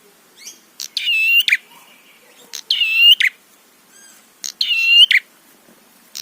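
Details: Prenjak (prinia) song played to rile other prenjak and make them sing. High, ringing buzzy phrases bracketed by sharp chirps, three bursts spaced about one and a half to two seconds apart over faint background hiss.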